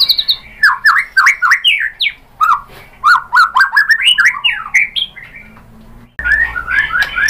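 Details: Lure song of a white-rumped shama meant to provoke singing: a fast run of rising and falling whistles and chirps, a brief quiet pause, then an abrupt restart of sweeping notes over a changed background.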